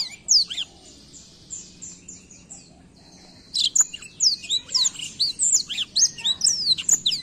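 A black-throat sings a high, lively warble: a run of quick, repeated downslurred notes, then a fast jumble of sharp twitters and trills.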